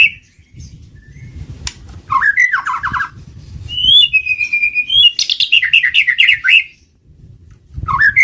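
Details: White-rumped shama song for bird luring: a quick descending note cascade, a long steady whistle, then a rich run of rapid varied notes, with low background noise.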